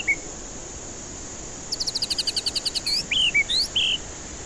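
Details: Lure song of a white-rumped shama, meant to stir stressed, silent birds into singing. A brief whistle, then a rapid run of sharp high notes leading into looping, rising and steady clear whistles.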